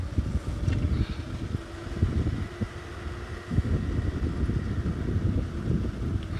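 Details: Low idling vehicle engine rumbles steadily throughout on an early-morning safari drive, with no animal calls standing out.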